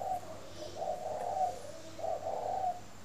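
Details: Spotted dove at a dove garden near Hanoi, northern Vietnam, calling in the morning: two soft, drawn-out low coo phrases, the second longer and swelling, against quiet steady hum.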